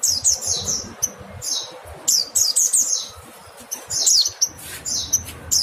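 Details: Mountain white-eye, called pleci gunung, giving rapid bursts of high, sharp falling notes, often doubled or tripled, with short gaps and faint low background noise.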